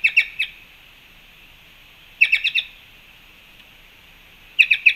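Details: Fruit-feeder recording from Panama, March 2, 2021: black-chested jays give tight clusters of three or four harsh, clipped notes about every two seconds, separated by quiet hiss.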